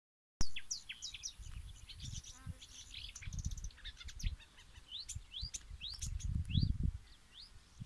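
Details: Marsh warbler (Acrocephalus palustris), song.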